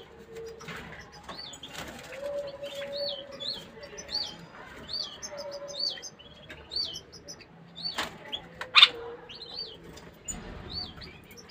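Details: Bulbul in a cage singing to stimulate the female to mate: short hooked, whistled high notes repeated every second or so, with a steady low hum and occasional clicks and knocks.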